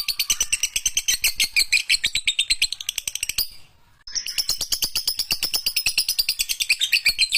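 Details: Lovebird chattering in the long ngekek style for a master recording: a fast, shrill, buzzy trill of repeated pulses, a short pause partway through, then an equally rapid, harsh chatter to the end.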